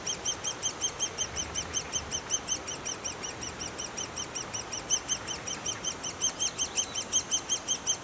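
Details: Young great spotted woodpeckers in their nest chirp in a high, rhythmic, pulsing series, nearly three calls per second, steady throughout.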